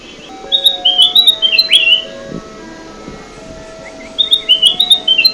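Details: Ruby-throated bulbul (kutilang emas) in a lure recording used for trapping birds: two bursts of short, bright, chirpy whistled notes, the second after a pause, over steady faint tonal hum and a low background.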